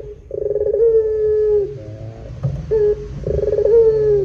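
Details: Barbary dove (puter) giving a long cooing song, twice: each phrase opens with a quick rolling burr, then stretches into a long, low, slightly falling hoot. Faint background hum.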